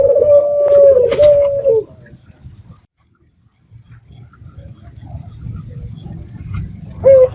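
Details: Local red-eyed dove giving a lure call to make other doves answer: one steady, mellow coo of under two seconds, then near silence and a final short note.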